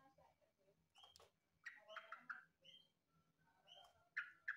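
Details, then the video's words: Rapid, chattering whistled notes from a yellow-vented bulbul (trucukan), compared to the green leafbird, come in uneven clusters with sharp bright accents near the end against a low steady hum. "Suara burung trucukan mirip cucak Ijo...!!!???"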